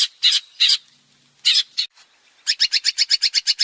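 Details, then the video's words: ['Male long-tailed shrike singing as a lure for other birds; a few harsh, scratchy squawks with pauses, then a quick series of clipped, high chattering notes.'] "PANCINGAN BURUNG CENDET GACOR BANYAK VARIASI"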